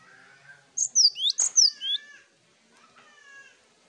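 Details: Cinereous tit chorus master: a short burst of high falling and rising whistled notes, interrupted by a sharp click, followed by softer lower whistles trailing off.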